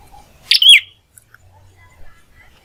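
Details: Prinia singing clearly at home: one phrase with a harsh chip and a descending whistled note, then quiet with faint low background hum.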